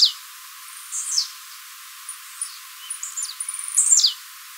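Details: Blue-black grassquit (tiziu mateiro) singing, recorded live as training song for building song stamina (fibra): thin, high, sharply falling buzzy sweeps, separated by brief soft chips, ending in a louder run of rapid notes and a descending slur.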